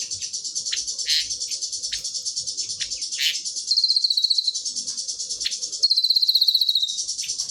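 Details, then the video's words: Pygmy tit singing: a continuous, very high, thin twittering chatter of rapid ticks and trills, with brief louder sweeping whistled phrases and short buzzy rising notes scattered through. "SG full cililinan"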